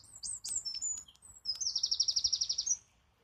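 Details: Wren singing: high thin whistles and quick notes, then a fast even trill of rapidly repeated notes lasting over a second, ending abruptly.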